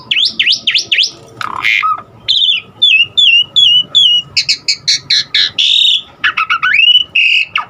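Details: Asian pied starling giving varied mimicked fill-in song meant to set other starlings singing: rapid rising-falling whistled sweeps, a run of short high chips, buzzy squeaks and a long rising whistle near the end.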